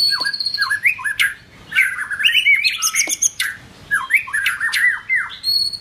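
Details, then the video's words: White-rumped shama in form-building song, pouring out rich, rapid whistles with swooping up-and-down notes, harsh squawky bursts and high trills, loud and continuous with short pauses between phrases. "White Rumped shama- form building"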